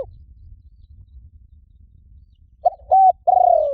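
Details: Spotted dove call used as a decoy to lure wild doves: after near silence, a short rising coo, a level hummed note and a long falling croon close the recording. Faint low rumble underneath.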